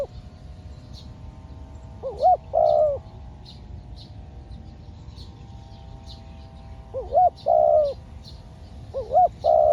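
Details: Decoy spotted dove calling while out trapping wild doves: three two-part coos at uneven gaps, each a looping note then a prolonged, slightly falling croon. Scattered faint high chirps of other small birds and a low hum throughout.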